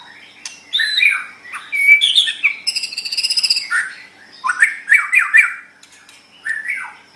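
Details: Training song of a white-rumped shama for pet songbirds: varied whistles and chirps, then a fast buzzy rattle of rapid repeated notes, followed by more slurred rising and falling phrases.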